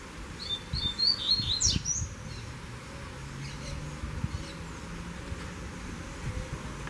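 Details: Double-collared seedeater (coleiro) taken out on a walk, not carried in its cage: a quick run of high, thin whistled notes in the first two seconds, then only faint scattered chirps over a low background rumble.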